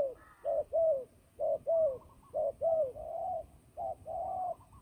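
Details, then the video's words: A turtle dove used as a fighting and trapping bird repeats soft, hollow coos in grouped pairs, roughly a dozen notes with slight downward slurs, some notes drawn out longer, over a quiet background. "fighting dove"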